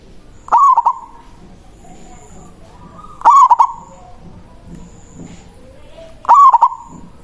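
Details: Zebra dove of a local strain singing the loud manggung song meant to call a rival and lure others; three bursts of stuttered, ringing coo notes come roughly every three seconds, with a low hum and thin high tone behind.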